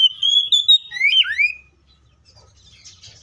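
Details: Oriental magpie-robin in full fighting song, used to prompt other magpie-robins to sing: loud, clear whistled notes sliding up and down for about one and a half seconds, ending in swooping rising whistles, then near silence.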